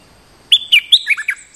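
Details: Territorial bulbul on a lure, jumping in aggressively: a rapid phrase of about six loud, clear whistled notes, each sliding down and stepping lower in pitch, lasting about one second.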